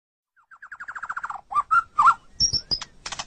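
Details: White-rumped shama (murai batu), a kept songbird, singing on a masteran tutor track used to train pet songbirds. A quickening run of about ten slurred notes falls in pitch, then come lower warbled whistles and sharp high squeaky notes.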